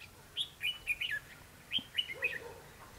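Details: Red-whiskered bulbul fighting song during trapping with a lure bird: two bursts of bright, clear whistled notes, rising then falling, the second phrase ending in a lower warble, over faint background hiss.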